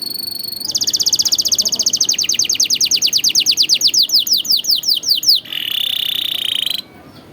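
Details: Masteran tutor song for young canaries. A thin high trill leads into a long run of fast, evenly repeated descending whistled notes, followed by a dense buzzy roll and silence.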